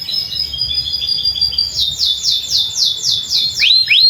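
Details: Tutor song of a canary recorded beside a field for young canaries learning to sing: a thin steady whistle, then a smooth series of fast rising trill notes and two sharp upslurred calls at the close.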